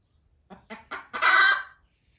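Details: Hen in a barn around egg laying: three rising clucks building into one long, loud, harsh drawn-out squawk that fades away.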